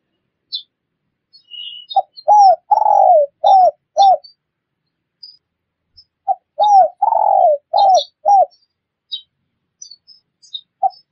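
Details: Spotted dove call used as a lure for catching wild birds: two bursts of low, mellow cooing, short notes building to a longer rolling coo then tapering, with faint high chirps from other small birds between phrases.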